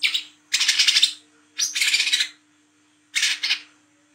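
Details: Night recording of an Olive-backed sunbird singing in the fast 'ngriwik' style, used as a lure for young birds: raspy, dense chattering phrases repeated roughly every second, ending with a shorter burst over a faint steady hum.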